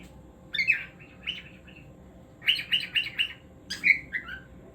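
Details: Singing cockatiel kept as a pet: grating chirp groups, a first cluster, then four evenly spaced rasping notes, then a final downslurred chirp, with faint room hum throughout.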